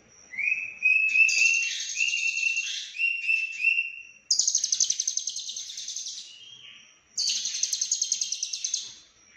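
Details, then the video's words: Lovebird singing in the konslet style, full of cililin phrases: whistled notes stepping between two pitches, then two long rapid buzzing trills of fast pulses, the second one fading. "Lovebird Konslet Full Isian CIlilin"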